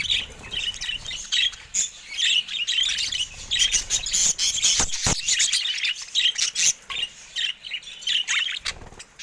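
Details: Pet budgerigars in their cage, pecking at a camera, chatter in fast scratchy warbles and squeaks, with sharp tapping clicks mixed into the steady twittering.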